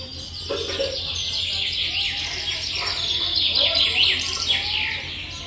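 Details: Small nestlings in the nest calling while they wait to be fed, a steady overlapping mass of high sliding cheeps from several young, with a few lower squeaks and a constant low background hum.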